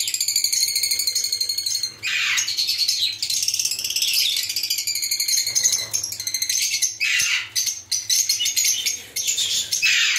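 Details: Captive lovebird colony of mixed colour varieties keeps up a busy, rattling chorus of high squeaky chirps over ten seconds, swelling and dipping in loudness with brief lulls.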